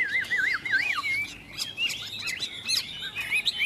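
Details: Two Chinese hwameis sing against each other in a contest, Vietnam: a bird opens with looping, wavering whistles, then sharp rising and falling notes and quick chips follow, with another voice overlapping.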